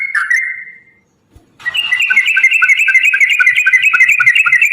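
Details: Yellow-vented bulbul in fighting-style lure song: one drawn-out wavering whistle, a brief silence, then a sustained rapid stream of chirpy, warbled notes.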